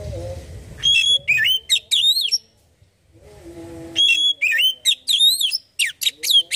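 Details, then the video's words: Kacer, the Oriental magpie-robin, singing as a lure recording to trigger singing: two bursts of bright whistled phrases with sharp up-and-down slurs, split by a second of quiet, over a faint low hum and rumble. "Burung Kacer langsung bunyi dengar ini"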